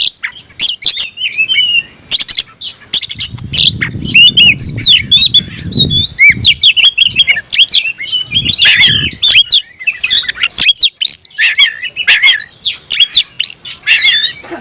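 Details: Oriental magpie-robin singing hard in a rival-seeking display: long run of loud varied whistles, rapid chips, rattles and mimic-like squeaks, barely pausing, with some low murmuring noise in the background midway.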